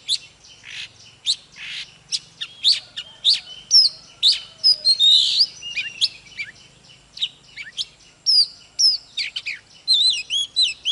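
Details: Oriental magpie-robin, known locally as chòe than, in loud full song: a fast, varied run of sharp whistles, chirps and slurred upward and downward notes, about two per second, with a faint low hum beneath.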